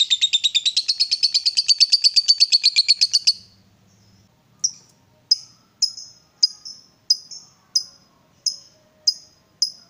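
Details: Provoked lovebird giving a fast, high, buzzy ngekek chatter for about three seconds, then falling silent briefly before single sharp chirps repeated roughly every half second.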